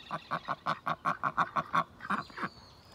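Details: Rapid chattering series of a domestic duck: about a dozen evenly paced short, nasal quacks, roughly four per second, ending with a couple of harsher notes and a thin high chirp.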